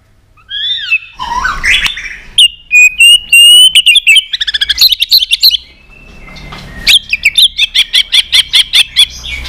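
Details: Intense many-voiced competition song of a white-rumped shama: loud sweeping whistles and a rapid stutter of sharp repeated notes. A short pause leads into a second fast, evenly spaced burst of bright chips.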